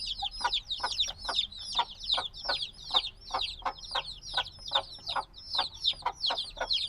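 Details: Newly hatched black baby chickens, only a few days old, chirp noisily in a binaural recording: a dense stream of shrill, down-slurred peeps from many chicks overlapping, with soft lower scuffles repeating about every half second.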